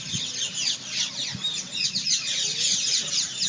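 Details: A dense chorus of Rose-ringed parakeets at their roost gives many harsh, high screeches overlapping continuously over a low background rumble; parakeet calls.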